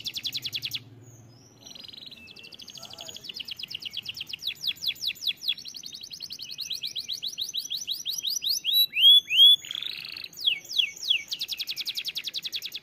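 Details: Canary song: after a short pause, long fast trills build in loudness, with clear looping whistles and a brief buzzy burst, ending in more rapid high trilling.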